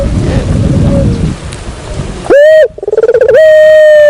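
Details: Quiet, muffled cooing at first, then a sudden loud Barbary dove lure call: a sharp rising onset, a fast stuttering pulsed roll, then a long steady held coo.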